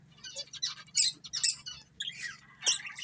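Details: Budgerigar breeding pair chattering in short, scratchy chirps and thin squeaks, irregular and somewhat sparse, about three bursts a second at times, over a faint background hum.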